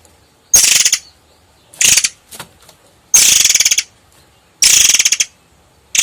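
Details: Long-tailed sibia (murai air) in full song, kept as a tutor bird for its sharp, dense song: loud, harsh, rattling rolls of about half a second, repeated every one to two seconds, high-pitched and dry like a ratchet.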